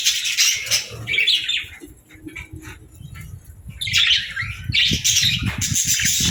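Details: Pet budgerigar chattering in bursts of harsh, scratchy chirps that come and go, with a quieter gap in the middle and a low background rumble beneath.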